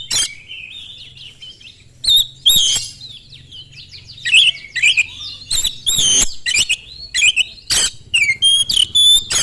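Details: Fast, penetrating Oriental magpie-robin song used to lure rival magpie-robins into answering, a continuous medley of warbled whistles, slurred notes and repeated harsh rasping bursts that grows busier toward the end.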